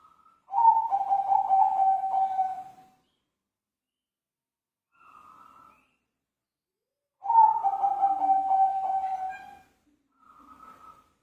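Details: Zebra dove cooing in full voice: two long, low, rolling coo phrases of about two seconds each, each followed by a short, higher, clear note, with silent gaps between the phrases.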